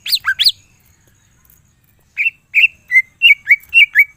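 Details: Greater green leafbird (cucak ijo) singing full isian style to prompt other cucak ijo. Sharp rising and falling notes, a quiet gap, then a steady series of short clear whistles about every quarter second.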